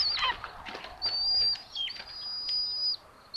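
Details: Two common buzzard chicks at a nest in Tiszalök, Hungary, on 8 June 2022, sharing food. They give thin, high whistles: a quick falling note, then drawn-out level piping about a second each, with faint rustling between.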